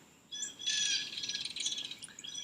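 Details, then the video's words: A belted kingfisher down by a pond gives a loud, dry, harsh rattle, a rapid run of grating notes lasting about two seconds, with faint room noise behind. "Ooh, did you hear that? That was a belted kingfisher down by my pond."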